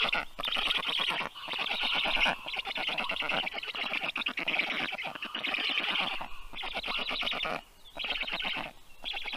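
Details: Black stork nestlings, rescued, aged 30 days, begging at feeding time in a university animal clinic in Tartu, Estonia, 21 June 2022; hoarse, rapidly pulsed wheezes in bursts roughly every second, with a few quiet gaps.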